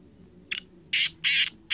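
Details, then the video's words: Black francolin (kala teetar) calling in 2023: harsh, rasping, broadband bursts, one short then three longer notes, spaced roughly a quarter second apart, with faint low hum underneath. "Kala Teetar I Balck Francolin I Bular Kala Teetar"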